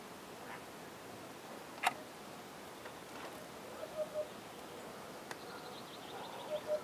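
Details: A Eurasian hoopoe gives its mating call, soft, low, hollow hoots in pairs repeated after a pause, over a quiet background with a sharp click and faint high chirps.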